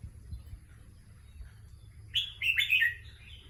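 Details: Competition red-whiskered bulbul singing after about two seconds of quiet: a rapid burst of rich, fluty, rising and falling warbled notes lasting over a second, with a faint low background hum.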